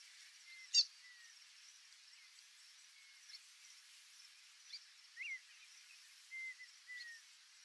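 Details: White-faced Whistling Ducks (Dendrocygna viduata) in the Pantanal give soft, thin whistled notes, some rising and falling, every second or two, with a sharp click early, over faint hiss.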